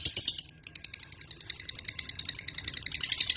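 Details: Lovebird, a small social parrot of genus Agapornis, giving dense, rattling high chirps in fast bursts. A short pause comes near the half-second mark, then the stream of clicky notes resumes steadily.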